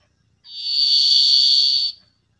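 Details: Varied Thrush recorded days earlier at a park in the Gulf Islands, several starting to vocalize loudly before heading north: one long steady high whistle with buzzy eerie edge, about a second and a half, near silence.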